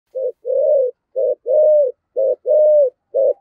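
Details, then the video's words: Spotted dove of the deep-voiced thổ style, calling to the flock, used as a lure: low cooing in paired notes, a short coo followed by a longer slurred coo, repeated about once a second. "cu gáy giọng thổ thúc gù gáy gọi đủ bài dùng kích bổi rất hiệu quả"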